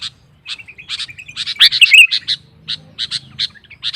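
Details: Energetic sooty-headed bulbul singing to goad rival birds: a soft run of thin notes, then a loud burst of warbling whistles, followed by spaced sharp chip notes.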